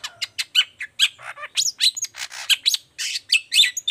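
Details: Chatty 'toet toet' song of a long-tailed shrike, meant to spur reluctant shrikes to answer: a rapid, unbroken string of mixed clicks, thin whistles and harsh scratchy notes.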